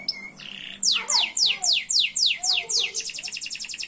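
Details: Canary song opening with two short tones, then a repeated series of loud steep downward sweeps about three per second, ending in a rapid buzzy trill.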